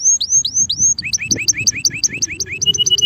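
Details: A male canary sings four sweet rising whistles, then switches to a quick run of crisp two-toned chips repeated about four times a second.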